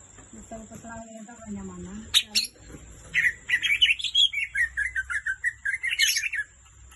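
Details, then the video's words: Green leafbird (cucak ijo) song: low murmuring and a few sharp clicks at first, then a rapid series of whistled, warbling notes, about three each second, over a steady high-pitched electrical whine. "cucak ijo suara merdu gacor"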